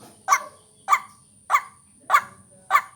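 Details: White-breasted waterhen lure call for vocal training, used to attract birds: harsh, nasal barking notes, five evenly spaced over three seconds, with a faint steady high whine behind.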